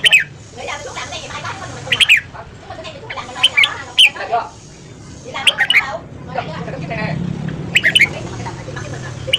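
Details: Morning song of a red-whiskered bulbul, played for voice training: short chirpy whistled bursts recurring roughly every one to two seconds, with a steady low background murmur and faint voices.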